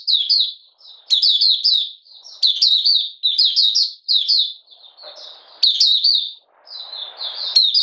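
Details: Oriental white-eye of Malaysian origin in minor moult, not in form, 31 July 2023, singing the 'buka sing' opening song: repeated high, lilting chirp phrases with short pauses and faint hiss between.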